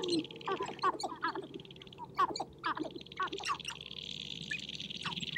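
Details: Sharp-tailed grouse dancing and fighting on a prairie hilltop in spring to attract females; bursts of quick chattering clucks and short chirped notes in irregular clusters over a steady high hiss.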